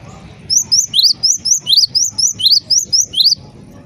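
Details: Bright, metallic tweets from a Java sparrow, claimed to stir other Java sparrows to call, come in a brisk even series of about twelve upsweeping notes after a brief quiet start.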